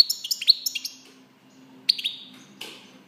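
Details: European goldfinch giving short bursts of high, tinkling twitters and chirps, spaced by brief pauses, with one sharp buzzy note near the end.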